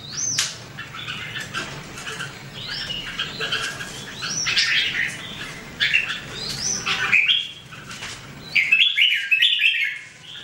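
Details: Red-whiskered bulbul singing among other chattering birds: a dense stream of jaunty whistled and warbled phrases with sharp up-sweeping notes, clearer and quieter toward the end.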